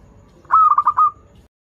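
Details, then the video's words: Local zebra dove, a frequent singer used as a lure for learning doves, delivers one short cooing phrase: a few rapid rounded notes that end in a longer, fading coo. "PERKUTUT LOKAL GACOR Suara Merdu"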